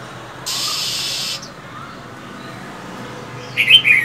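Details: Female Oriental magpie-robin in cold winter, hissing and calling to stir males to sing: a long harsh hiss of almost a second, a quiet pause, then a few sharp high chirps at the end.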